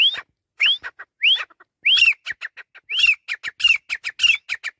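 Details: Grey francolin (teetar) calling insistently: loud rising whistles repeated in quick succession, each followed by short harsh chattering notes, building into a dense rhythmic run.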